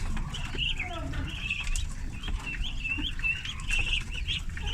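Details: Thirty farm-raised ducklings at feeding time give steady, high, thin peeps. The short, wavering notes repeat constantly over a low rumbling background, with occasional clicks and knocks.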